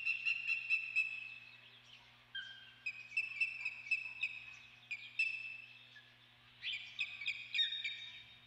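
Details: Osprey at the Dunrovin Ranch nest on 28 May calling in long runs of rapid, piercing whistled chirps, about four per second, broken by short pauses and slurred downward notes, over a low constant hum.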